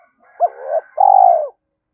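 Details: Decoy spotted dove, 'cu gáy', gives a brief two-part coo: a short hoot that swells into a vibrating note, then a long steady purring coo that fades slightly.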